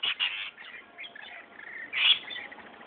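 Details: Rainbow lorikeets squabbling over spilt ice cream from a child's paddle pop: harsh, grating screeches, a loud burst at the start and another near two seconds, with quieter scratchy chatter between.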